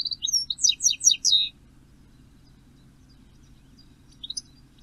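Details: At dawn on 14 May, 06:16, a perched European goldfinch gives a quick bright twittering burst of high tinkling, jangling notes lasting about a second and a half, then falls quiet before a brief faint twitter.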